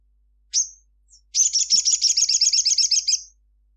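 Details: Crimson sunbird singing vigorously at midday: one sharp, very high descending note, a faint chip, then a rapid dry trill of about fourteen bright chirps lasting two seconds.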